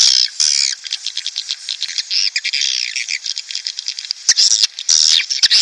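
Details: Recording played to pull breeding swiftlets into a nest house: loud opening squawks give way to busy chattering and clicks, then harsh screechy bursts return near the end.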